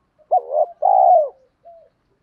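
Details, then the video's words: A single lure phrase from a spotted dove, used to stir wild doves to call: a short throaty coo, then a longer, louder rolling coo that falls at the end, followed by a faint short note. "chim cu gáy thúc kích bổi rất xiêng gáy, tiếng gáy gọi dúp bổi nghe xong có hứng gáy theo liền"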